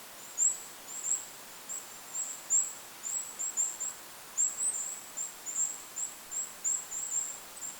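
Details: Goldcrest calling in a forest over a lake, with wind noise: very high, thin, short needle-like notes in quick clusters, about twenty through the stretch, over a steady soft hiss.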